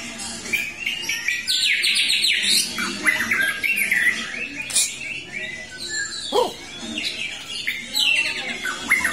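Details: White-rumped shama after its moult, returning to full song: rich, varied whistled phrases in quick succession, sliding up and down with sharp rising sweeps and buzzy notes, delivered densely throughout.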